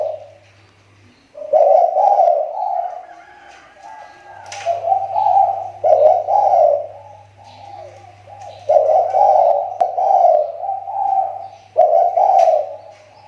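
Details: Spotted dove kept as a lure bird, its voice recovering after a recent drop: low, hoarse cooing phrases of several slurred notes, repeated in bursts with short pauses, faint low hum beneath.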